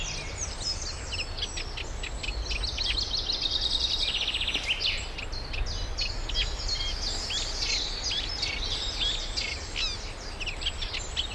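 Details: Eurasian reed warbler singing at a UK nature reserve, Middle Street Meadow, as pairs form before nest building; long stream of harsh, chattering repeated notes mixed with grating churrs and brief whistles, persistent low rumble beneath.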